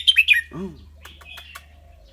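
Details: Cage-kept red-whiskered bulbul with a clear voice: a brisk phrase of three sharp, descending whistled notes, then a low arching harmonic sound and soft faint ticks.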